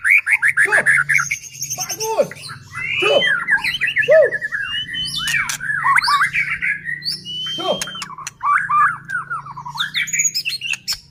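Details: White-rumped shama song used as a provoking lure: rapid repeated whistled trills, slurred phrases and sharp clicks over a steady low hum throughout.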